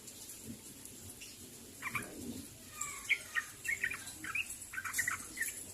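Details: Sooty-headed bulbul calling to others: after a quiet start, short bright chirps and bubbly notes come in a loose run, with faint hiss behind.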